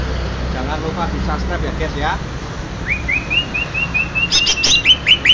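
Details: Greater green leafbird of Banyuwangi origin: a man talks at first, then the bird gives a long rising whistle followed by quick, bright chips and twittering notes.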